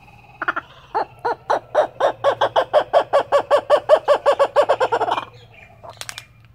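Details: A wild Australian kookaburra being hand-fed one morning laughs with its mouth full of food: a rollicking run of about eighteen hoarse, chuckling notes that quicken and build before breaking off, over a steady low hum.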